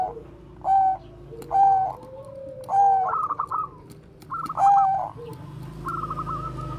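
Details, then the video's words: Bangkok zebra dove with bekur koar-koar cooing, kept as a lure for training other doves; low hollow coos in bursts about once a second, with a rolling trill in between and faint room noise. "perkutut BANGKOK BEKUR KOAR-KOAR bagus untuk PANCINGAN PERKUTUT"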